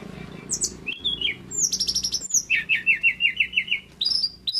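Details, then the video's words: Adult male Pygmy cupwing (mountain tesia) in full, lively song: a varied run of very high, thin notes, sharp chips, then a steady string of about eight quick repeated notes, over a faint low hum. "TERLALU KEREN BURUNG SEKECIL INI KALO SUDAH GACOR...TLEDEKAN GUNUNG JANTAN"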